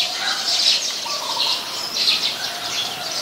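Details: Eurasian tree sparrows in Ubon Ratchathani, Thailand, 10 May 2020, where the species is a very common resident: dense overlapping high chattering chirps in a continuous busy stream, with faint lower notes underneath.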